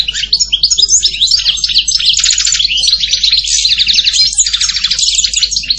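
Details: Continuous European goldfinch song, a rapid jumble of liquid twitters, chirps and buzzy trilled phrases, high and dense throughout nearly six seconds.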